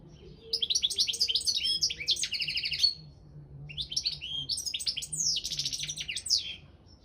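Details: European goldfinch of the Balkan subspecies Carduelis carduelis balcanica, entered in an online world championship for goldfinch song: two long bursts of rapid, liquid twittering with high tinkling and buzzy trilled notes, separated by a short pause.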